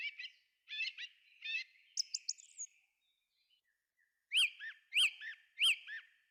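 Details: Forest thrush song: short chirpy notes, then a high trill, a pause, and three loud, sharp, identical notes repeated about every two-thirds of a second.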